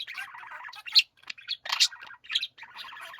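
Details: Budgerigars warbling in a group chorus, a rolling pyoro-pyoro chatter broken by sharp squeaky chirps and a harsh, grating gijigiji phrase, voices overlapping.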